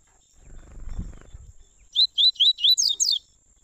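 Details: Double-collared seedeater warm-up song in the tui-tui style, from a father and son, meant for black and brown birds. A soft rustling knock is followed by a strong run of six bright, upward-sliding whistled notes.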